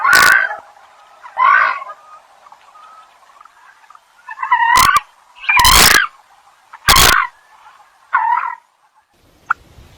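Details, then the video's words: Eurasian coot giving loud, abrupt, nasal calls, about seven in ten seconds at irregular spacing, with a low background hum between them. "Common Coot Bird Sound | জলকচু পাখির ডাক | Jal Murgi ki Awaz | জলমুরগি | Coot Bird Call"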